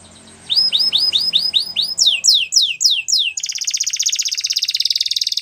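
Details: Canary song for training: a string of six rising slurred whistles, then five quick downward sweeps, leading into a dense, fast high trill that continues to the end.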